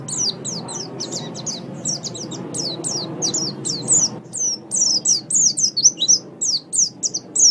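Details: Song of a white-eye, a tutoring track for kept birds, recommended for mornings or evenings. Crisp, high, down-slurred chips repeated briskly and unevenly, with a few looping twittered phrases near the end.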